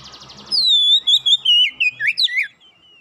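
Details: After a brief soft buzzy pulsing, an Oriental magpie-robin bursts into a fast phrase: a long clear downward-gliding whistle followed by quick, sharply bending notes, sung vigorously after a single lure.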